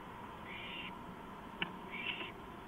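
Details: Night recording from a porch at 2:05 AM on April 5, 2015, of an owl. Two drawn-out, scratchy hissing calls are split by a sharp click, over a constant low drone.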